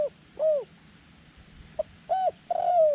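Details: Short, downward-curving coos from a small-voiced decoy dove set out to attract wild doves; a lone clipped note precedes a pair of bright arched coos, the last drawn out and sliding lower.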